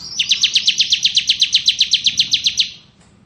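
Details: Bar-winged prinia in ciblek kristal ngebren style, recorded as tutor song for magpie-robins; a slightly rising lead-in then a long, steady trill of about twenty sharp, buzzy notes, fading at the end.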